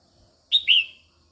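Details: Female red-whiskered bulbul singing to stimulate males, a single loud, clear whistled phrase: a short high note and then a longer slurred note that falls away, in a quiet setting.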